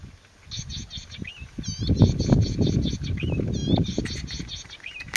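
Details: A Golden-headed cisticola calls with high, thin buzzy notes in short clustered bursts and a few rising liquid whistles between them, over a loud rumble of low wind or handling noise.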